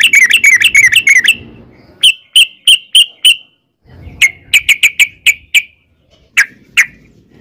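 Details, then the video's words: Yellow-vented bulbul, used as a lure to make others answer. A quick run of chattering notes gives way to sharp, evenly spaced single notes, then another fast series and two final spaced notes over a faint low rumble. "trucukan gacor ROPEL PANJANG buat pancingan trucukan agar bunyi jadikan burung trucuk gacor NYAUT"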